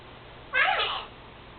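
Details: Senegal parrot kept indoors as a pet, which imitates its owner's sneezing; one short, meow-like, wavering nasal cry lasting about half a second, with harmonics that bend downward, in an otherwise quiet room.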